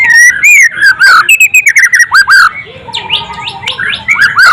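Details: White-rumped shama, a frequent contest winner, sings a rich, fast run of loud whistled notes, slurred and descending, then buzzier rising flourishes, delivered in a tight, rapid rhythm with little pause.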